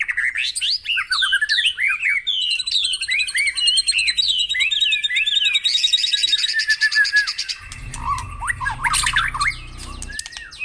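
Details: White-rumped shama song used to stimulate caged birds to sing in the morning: a long flowing run of looping whistles and fast high trills, with a buzzy stretch near the end and a low hum beneath.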